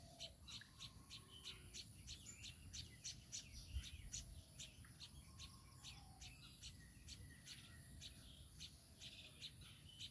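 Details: Baya weaver and chicks producing rapid, repeated high chirps with brief mid-pitched whistled notes scattered between, against a sustained high insect drone and low background rumble.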